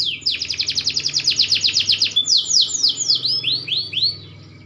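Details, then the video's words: Green canary growing into adulthood, singing a rapid run of about fifteen quick repeated notes, followed by slower, clear downslurred whistles that become more widely spaced. "burung kenari hijau makin dewasa wakin baik kicauan nya"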